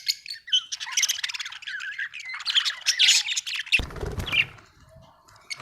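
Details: Happy budgie chattering in a continuous warble of squeaky whistles, rapid chirps and scratchy notes, ending with a short low rustling noise and quieter chirps.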